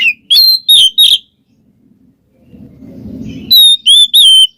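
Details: Oriental magpie-robin singing in ngeplong ngekek style as a lure for a quiet bird: a few sharp whistled notes, a pause with soft low background noise, then another short run of clear looping whistles.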